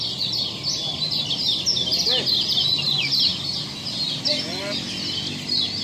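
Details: Caged Lombok kecial, a young bird just trained as a master tutor, singing: dense, rapid high chattering and twittering trills run continuously, with sharp downslurred notes and quick repeated phrases throughout; faint voices and background rumble.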